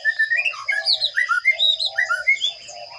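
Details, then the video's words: Sparrow nestlings being fed in a nest box give a dense string of sharp, sliding chirps, roughly four a second, over low soft cooing notes and a steady high electronic whine. "Sparrow bird feeding baby chicks in nest box"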